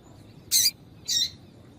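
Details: Two short, harsh, high chirps about half a second apart, given by a female double-collared seedeater to warm up a male into song; quiet surroundings otherwise.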